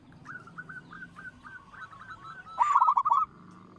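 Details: Local zebra dove with a big voice, singing to lure other birds into song. A faint run of short coos gives way to one loud, fast, stuttering burst near the end, with low background hum.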